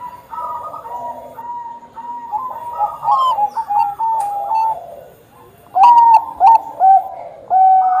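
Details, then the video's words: Bangkok-type zebra dove in vigorous song: a murmuring run of soft coos, a short lull, then loud, crisp, bouncing coo notes with high chirps. "perkutut bangkok gacor"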